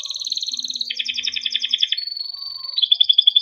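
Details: Timbrado canary singing a training song made of long rolling trills, each a fast string of repeated notes, switching to a sustained whistle and then another rolling tour.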